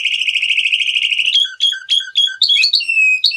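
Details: Male canary: a quick continuous trill breaks into separate chirped, down-slurred notes of varied pitch, sharp and loud.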